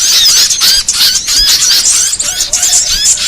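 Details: Trapping lure sound for small birds, including ioras, sunbirds and tailorbirds: loud, busy high-pitched squeaks and chirps in quick succession, roughly three per second, overlapping twitters throughout.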